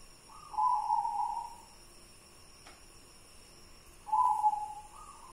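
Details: White local zebra dove giving two smooth, rolling coo phrases about four seconds apart, each a drawn-out warbling note over faint background hiss.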